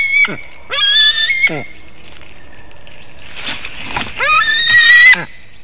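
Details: White-tailed eagle screaming at a Latvian nest webcam at 7:06 am on 17 August 2018, as fish is brought and taken. Drawn-out harmonic wails with falling tails, a quieter noisy stretch in the middle, then another loud scream.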